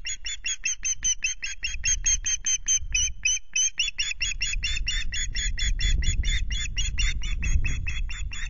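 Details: Osprey calling at a nest at RSPB Loch Garten on 26 May, recorded by nest camera the day a half fish arrived. An unbroken string of shrill, piping whistles, roughly four per second, over soft wind noise.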